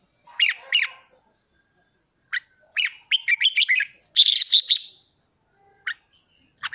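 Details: Red-whiskered bulbul singing in the ché style, played to spur pet birds to practise singing: bright whistled notes sliding up and down, a quick run of chirps, then a dense buzzy burst and a few isolated sharp notes.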